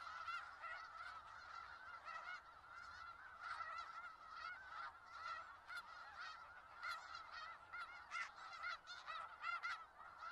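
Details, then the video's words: Long stretch of snow geese clamoring in Skagit Valley, a dense chorus of barking nasal honks that swells and ebbs, busier and louder toward the second half. "Sounds of Snow Geese"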